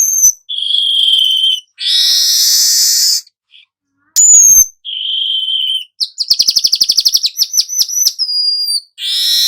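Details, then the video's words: Golden-headed weaver song mixing buzzy sizzling phrases, short thin whistles, and a fast series of dry ticking clicks that ends in a clear whistle before another sizzle. "suara manyar kepala emas"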